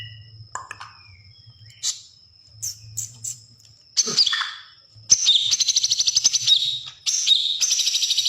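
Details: Greater green leafbird (cucak hijau) song in the 'sewing machine' style: separated high chips and a descending slur, then long rapid stuttering high trills near the end, with a low droning hum underneath.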